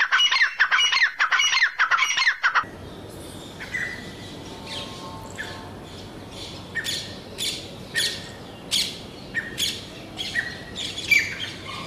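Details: Grey francolin (teetar) calling: loud, harsh, squawking notes in rapid bursts for about two and a half seconds, then after an abrupt cut, fainter harsh notes repeated at irregular intervals over a steady background hiss.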